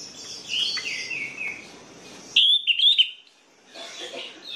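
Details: Orange-headed thrush song meant to prompt reluctant birds to sing, a mix of thin high phrases followed by a loud, clear whistled sequence with quick wavering notes, then softer chatter.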